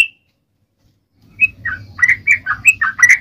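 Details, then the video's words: Yellow-vented bulbul (trucukan) singing a long, fighting-style song used to provoke other bulbuls: a single whistle, a pause, then rapid bubbling whistled notes around two kilohertz, rising and falling, over a low background hum. "SUARA trucukan gacor ROPEL PANJANG buat Pancingan trucukan agar bunyi"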